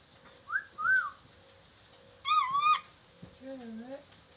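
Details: Training call for a chattering lory, played so the bird learns to talk quickly: two short soft rising whistles, then a loud harmonic half-second call, then a low wavering downward-curving note.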